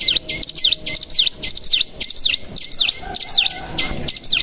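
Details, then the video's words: Cigun or bar-winged prinia lure sound, typical call mixed with ciblek fill-ins to set other birds singing: high whistled notes swooping down and sharply back up, repeated roughly twice a second, each opened by a quick click. "Pancingan Cigun Bahan Agar Bunyi Langsung Ngebren"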